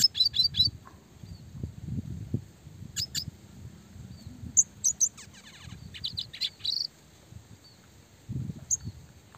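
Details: Red siskin in classic style, recorded as training material for small fighter songbirds, giving high twittering bursts and short rising whistled phrases with pauses between them, over a soft low rumble in the background.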